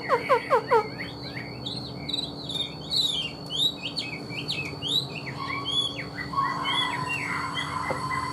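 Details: Caged Chinese hwamei singing: a few loud rising whistles, then a quick warbling jumble of varied slurred notes fading into softer sustained phrases over a background hum.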